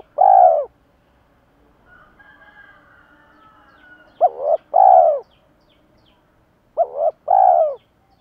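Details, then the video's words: Spotted doves, both sexes, calling to rouse decoy birds in daily training: mellow low coos in groups, a pair of short notes then a longer throaty one, repeated steadily, with a distant rooster in between. "cu gáy kích bổi và tập mồi hiệu quả hàng ngày"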